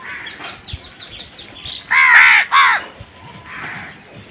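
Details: Crows fighting for food give two loud, hoarse caws in close succession, with fainter calls and chatter before and after.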